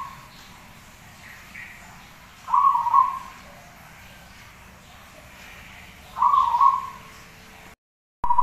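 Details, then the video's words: Zebra dove used as a song model, giving rolling, slightly wavering coos spaced several seconds apart, with quiet hum between them. "suara Perkutut Gacor"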